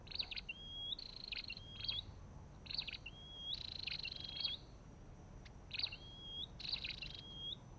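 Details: Olive-backed tailorbird repeating crisp, high chip notes each followed by a hooked, upslurred whistle, phrases coming about every second with a brief pause midway, background otherwise quiet.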